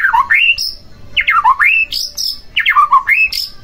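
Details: Song of a white-rumped shama, played to stir another shama into singing: a loud phrase repeated about every 1.2 seconds, each one dropping in a slurred whistle, then climbing steeply to a high ringing note.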